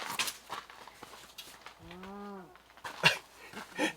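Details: Paradise shelduck near a winter campsite during a snowstorm gives a single nasal, honking call, arched and under a second long, between soft rustling and clicking sounds close by.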